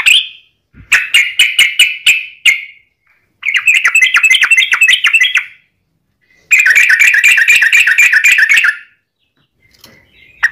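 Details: Lure song of a sooty-headed bulbul, a long fast rolling phrase to prompt other bulbuls to answer: an opening note, then rapid trains of sharp chirps in three dense bursts with short gaps.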